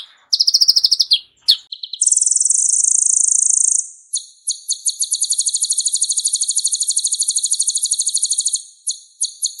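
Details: Van Hasselt's sunbird used as a vocal tutor for other songbirds: quick chips and slurs, then a long buzzing high trill and an extended rapid rattling trill lasting about four seconds.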